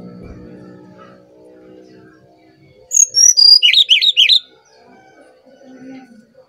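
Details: Brown-chested jungle flycatcher from Bali, singing as a lure for other birds: after a quiet start, a short burst of high descending whistles followed by rapid looping chirps repeated several times.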